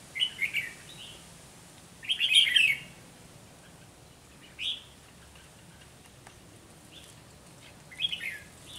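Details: Red-whiskered bulbul decoy in a trapping session meeting hard-fighting birds: scattered quick chirpy phrases with long gaps, one longer rich warble early on, then short single notes and a final double phrase.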